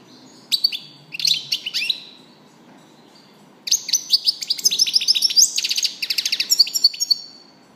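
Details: European goldfinch singing: two short bursts of bright twittering notes, a pause, then a longer run of rapid, liquid chirps and trills at high pitch, with faint low background hum.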